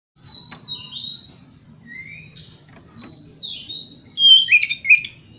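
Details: White-rumped shama song used as a lure to provoke other shamas: scattered whistled phrases with slurred notes, rising and falling, building to louder, harsher bursts near the end, over a faint low hum.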